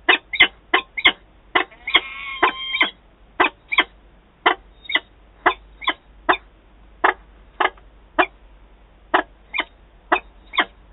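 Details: Harsh, rasping calls from an adult peregrine falcon pair meeting in Wałbrzych, Poland, 11 September 2022. The notes repeat steadily, roughly two each second, with a brief drawn-out wailing note near the second second.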